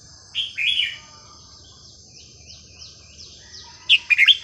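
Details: Red-whiskered bulbul kept as a cage bird, singing melodious non-repeating phrases used to teach young birds: a short warbled burst, a pause, then a quick run of bright chirpy notes, over a steady high insect-like whine.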